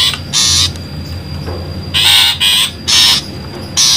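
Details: Long-tailed shrike giving harsh, grating chatter bursts, each about a third of a second, in an uneven series of five over four seconds, with a faint steady hiss behind; a lure call for trapping shrikes.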